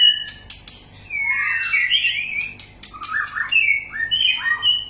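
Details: White-rumped shama giving its varied song, used to stimulate other shamas to sing: a few sharp clicks and short whistles, then two rich warbled phrases that rise and fall, separated by a brief quieter pause.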